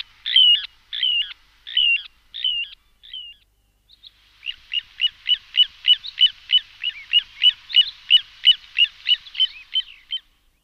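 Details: Little ringed plover, used as a decoy call: four clear, high piping notes, a short pause, then a fast run of about twenty clipped whistles at three per second. No other sounds.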